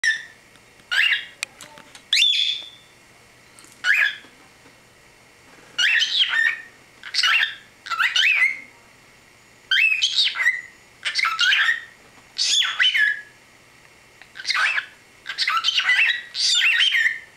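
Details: Pet cockatiel, which could say "let's go tiki bird" and "see you later", chatters in short, high, whistled speech-like phrases with brief pauses between them.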